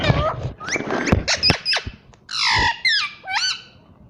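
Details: Pet green parrot vocalising indoors, mixed clicks and squeaky bursts followed by three loud nasal harmonic calls with wavering, bending pitch.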